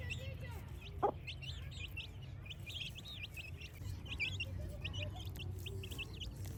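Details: A flock of village chicks peeping in the morning: rapid, thin, high chirps, often slurred upward or downward, flowing almost continuously, with one sharp click early on and a low background drone.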